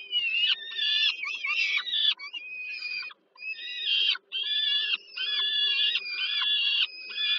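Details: Peregrine falcon young begging during an evening feed by the female at Termika Żerań, Warsaw, Poland, 15 July 2022: repeated coarse, screeching wails about a second long, coming in rapid succession with short breaks.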